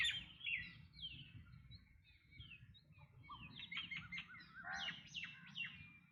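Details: Black drongo giving a loud, varied run of harsh chattering and whistled notes, some sliding down, some rising, packed closely together and growing louder toward the end, with low background noise throughout.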